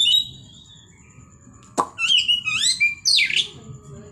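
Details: Oriental magpie-robin singing a 'tembakan' phrase meant to excite other magpie-robins: a high whistled note, a pause, then a fast burst of sweet whistles, trills and buzzy rising notes, over a faint low hum.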